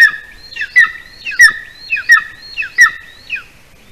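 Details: At dusk on a Latvian golden eagle nest, the adult male arriving with a larger bird for the chick: thin whistled notes, each dropping in pitch, repeated about every two-thirds of a second.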